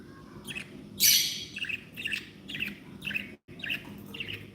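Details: Happy pet budgerigars chirping in a steady series of short bright notes, one loud harsh squawk near the start, then even chirps roughly every half second over a faint background hum.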